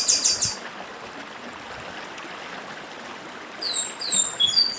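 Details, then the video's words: Chestnut-bellied seed finch of the Brazilian Northeast, recorded with a stream: a short buzzy rapid burst at the start, a long gap of water noise, then high downslurred whistles in quick succession. "Papa Arroz Dedim com Som de Riacho (Papa arroz do Nordeste)"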